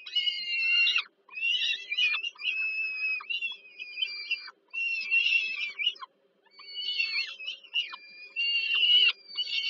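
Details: Young peregrine falcons fed by their mother at an evening meal in Warsaw, Poland, July 2022, give strained, raspy wailing cries in bursts of one to two seconds separated by short silences, with a low constant hum.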